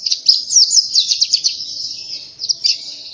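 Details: Energetic Oriental white-eye song meant as a lure: a continuous high, jumbled warbling twitter with brief slurred notes and no pauses.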